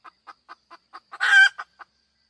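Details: Repeated short clucks from a hen, about four per second, build up to one loud, grating squawk, then trail off in a few more clucks.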